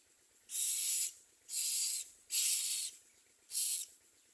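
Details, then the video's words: Common myna chicks at the nest uttering four long, rasping hisses, each about half a second, evenly paced roughly once a second. "Common myna The baby birds under it do not eat"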